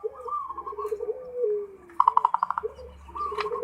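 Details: Zebra dove giving its full ngerot song, meant to stir breeding mood: faint low coos, then a quick run of bright staccato notes, with softer cooing resuming afterwards.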